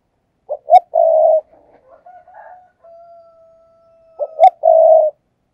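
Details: Decoy spotted dove on a perch in rapid 'thúc gù' cooing: two three-part phrases, each a double note and a long coo, separated by faint, softer, drawn-out cooing tones.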